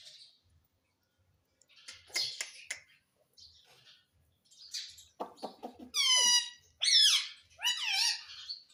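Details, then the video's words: Talking pet rose-ringed parakeet mimicking the word "mummy": soft scratchy chatter first, then three loud arched harmonic vocalisations in quick succession near the end, with faint taps in the background. "Talking parrot || Mummy bolne wala tota"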